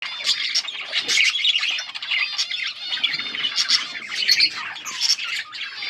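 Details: Several yellow budgerigars recorded on August 20, 2024, chattering together in a dense, continuous stream of high, scratchy chirps and warbles with quick twittering notes.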